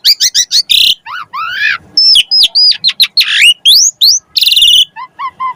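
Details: Lure song of an Asian pied starling, sung to stimulate other birds, packed with fancy fill-ins: quick chirp series, a harsh buzz, rising and falling whistles, a raspy trill, then soft low whistled notes.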